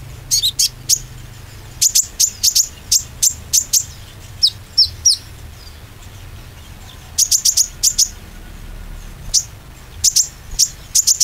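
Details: Oriental white-eye lure for encouraging other white-eyes to sing: long runs of sharp, very high chip notes, some in rapid triplets, with brief pauses and a steady low hum.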